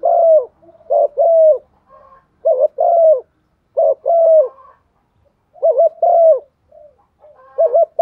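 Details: Spotted dove used as a decoy bird to provoke others to call, giving a loud, clean series of low coos in paired phrases, a quick wavering note then a longer falling one, repeated about every one and a half seconds with soft murmurs between.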